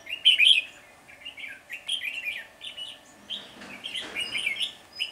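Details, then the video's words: Red-whiskered Bulbul flock leader scolding a caged decoy at a trapping site on 10 February 2020. Rapid, buzzy chattering notes run almost continuously, with a loud burst at the start and a brief rustling noise midway. "Bẫy chào mào Đầu đàn ché nẹt mồi"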